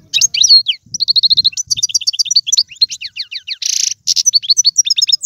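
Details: Algerian European goldfinch singing in the tiwawati, galoubi and serfati styles. Quick run of sharp twittered notes and down-slurred whistles, a brief harsh buzzy burst midway, then fast repeated chirps, with no other sounds.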